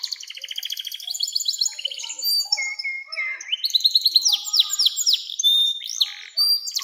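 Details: Canary song, long and full, used as a lure to train young canaries: fast trills and buzzy rattles, then a run of ringing downslurred whistles repeated rapidly, with sweet high notes closing.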